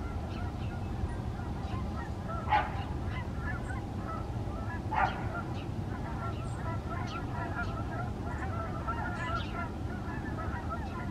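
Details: Canada geese passing in flying formation, a dense stream of repeated nasal honks from numerous birds, with two louder, sharper honks standing out near the start and a few thin chirps from other birds.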